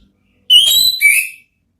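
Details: Orange-headed thrush ngeplong therapy phrase meant to prompt another thrush to answer: a single loud whistled phrase of two rich, buzzy-edged notes, the second dropping lower, lasting about one second.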